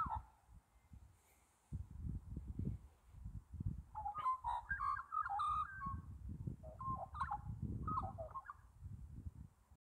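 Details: Australian magpie singing: two bursts of rich, warbling, gurgling notes with fluty tones, separated by a short pause, over constant heavy low rumbling noise.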